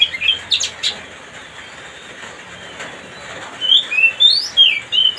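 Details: Oriental magpie-robin song played to provoke another bird into agitation: a few sharp whistled notes at the start, a quiet stretch, then a run of bright, slurred whistles rising and falling near the end over faint background hum.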